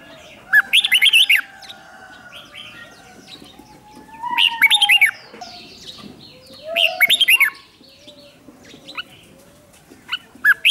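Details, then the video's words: Red-whiskered bulbul kept as a lure, singing short lively phrases of bouncing whistled notes four times over about ten seconds, with a faint lower sustained tone and scattered soft chirps in the background. "Chào mào mồi gọi bổi không tạp âm, tiếng chào mào mồi gọi là đến"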